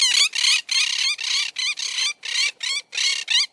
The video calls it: CATURRITA (MYIOPSITTA MONACHUS) MONK PARAKEET